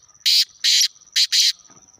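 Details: Black francolin (kala teetar) in Khushab giving four loud, grating bursts in two pairs, the second pair quicker, with a constant thin high whine behind and faint rustling afterwards.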